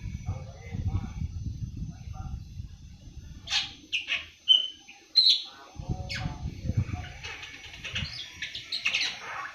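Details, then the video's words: Young awar-awar, seven months old, starting to sing: scattered thin chirps and a few sharp clear whistles in the middle, separated by pauses, with steady low rumble at the start and end. "Burung awar awar 7 bulan mulai ngriwik"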